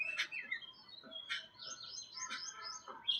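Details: Rasping, scratchy jungle babbler notes come roughly once a second, with high wavering whistled phrases running between them.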